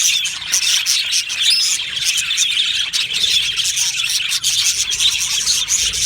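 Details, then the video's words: Budgerigar colony in an aviary chirps steadily: quick high tweets, short whistled slurs and squawks overlapping from numerous birds, with a few brief lulls. "Australian Budgie parrot sounds | Budgie parrot chirping sounds"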